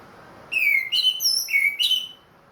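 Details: Caged orange-headed thrush of the Ring Kresek type, back in song after its moult: an unbroken two-second string of clear, loud whistled notes, some falling, some steady, in a ringing 'plong' manner.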